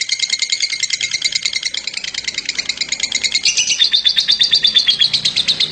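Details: Champion lovebird singing a dense, rapid chattering trill of high, buzzy notes, closely stacked and running without pause, turning slightly lower and more evenly pulsed after about three and a half seconds, with faint low background noise.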